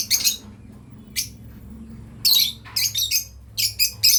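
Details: Harsh, high screechy chirps from a breeding pair of lovebirds, scattered at first and then in a quicker series of short bursts near the end.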